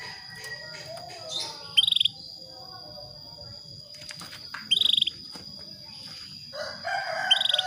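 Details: Calling female Atlantic canary luring a male to breed: three brief, high, buzzy trills of rapid pulses spaced roughly three seconds apart, with scattered clicks and rustling noises and a continuous high whine behind.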